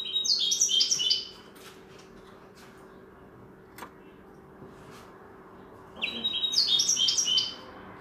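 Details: Linnet schooled in goldfinch song gives two separate bursts of rapid, high, liquid twittering, each lasting over a second, with a long near-silent pause and a single click between them.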